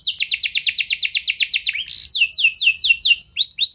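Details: Singing canary used to prompt other canaries to roll at length: quick run of high descending notes, then a brief buzzy break, then slower spaced sweeping notes and short rising whistles.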